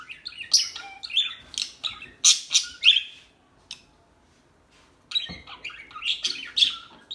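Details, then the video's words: Calm birds chirp in rapid high tweets and squeaky notes, pausing for about two seconds in the middle before the twittering resumes. "صوت العصافير الهادئة Bird sounds"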